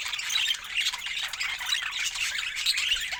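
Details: Several budgies call together in steady, busy chatter: overlapping shrill chirps and warbled twitters that run without a break.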